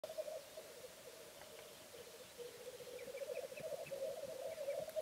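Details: Male black grouse (Lyrurus tetrix) displaying on a bog, giving continuous low bubbling, rolling coos that rise and fall without a break, with faint high bird notes above; display song.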